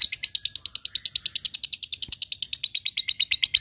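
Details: Lovebird ngekek, a song to provoke rivals and train fighting birds: an unbroken, very fast trill of sharp high notes, about eight per second, steady throughout.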